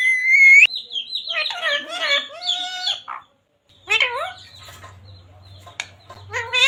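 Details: Talking ring-necked parrot repeating devotional words Radhe Radhe and Sita Ram: a high whistle, then rolling speech-like phrases, a pause, and more softer mimicked syllables over a faint hum.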